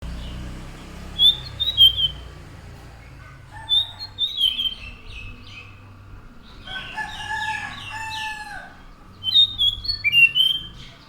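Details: Orange-headed thrush (anis macan) in song: short bursts of high, clear whistled notes with slurred flourishes, separated by pauses, alongside a lower warbling phrase and faint steady background hum.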